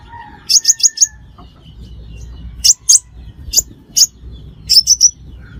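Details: Crimson sunbird calling as a trapping lure: a quick run of four high chips, then scattered single sharp notes and a closing group of three.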